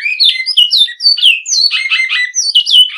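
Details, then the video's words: Great-billed seed finch giving a classic Bicudo song, short run of clear whistled slurs dropping in pitch, then a brief buzzy rattle-like passage before more descending whistles. "Bicudo Canto Clássico"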